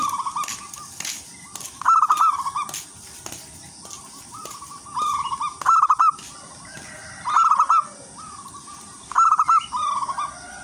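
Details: Melodious lure song of a wild local zebra dove drawing other zebra doves: rolling coos and sharper trilled bursts alternating every couple of seconds, with faint clicks and steady hiss behind.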